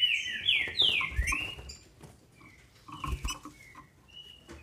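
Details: Captive female green-winged saltator in Brazil, song used to excite males: three or four loud downslurred whistles open the clip, then thumps and a few soft, short whistles trail off.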